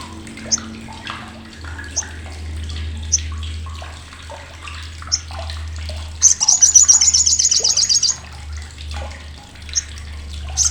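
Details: Sriganti or olive-backed sunbird, a tutor voice for contest birds because of its loud, harsh, sharp chattering: faint scattered chips over a low hum, then a two-second burst of rapid, high, metallic rattling notes.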